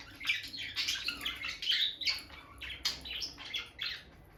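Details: Captive bonded pair of peach-faced lovebirds near the nest box, the female entering and leaving it; loud, piercing chirps and squeaky squawks come in clustered bursts, with a brief lull midway.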